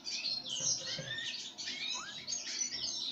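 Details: Pine grosbeak calling while fed sunflower seeds: busy overlapping high chirps and twitters, with one short rising whistled note near the middle.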